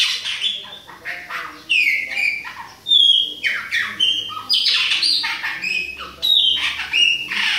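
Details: Chopi blackbird, Bahia type, with a young bird mentioned. Bursts of sharp whistled and squawky notes, many sliding downward, repeat in uneven phrases separated by short gaps.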